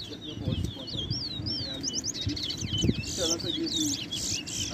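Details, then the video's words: Towa towa song during a 2021 bird singing contest at Ana Regina Park in Essequibo, Guyana: fast, sweeping, chattering notes in quick bursts, with a spoken count and low background noise. "TOWA TOWA BIRD COMPETITION"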